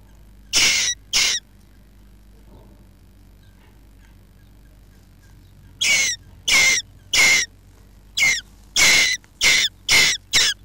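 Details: Jackdaws nesting under a roof give loud, harsh, rasping calls. Two calls come close together, then a pause, then a series of about eight calls roughly every half second, over a low steady hum.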